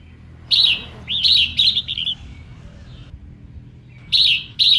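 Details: Female red-whiskered bulbul song to stir up males: loud buzzy bursts and a short warbled run of linked notes, a quiet pause, then two more rasping bursts; low rumble beneath.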